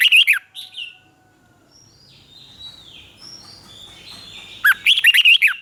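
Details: Red-whiskered bulbul song from Thailand in the southern master style, used to rouse caged birds and train young birds. Quick bubbling, whistled phrases begin the clip, faint high chirps follow, then a dense warbled burst near the end.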